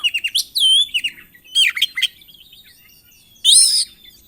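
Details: Oriental magpie-robin (kacer) singing a loud, varied song used to provoke other birds: rich whistled phrases, sweeping slurred notes and scratchy chatter, with short gaps between bursts.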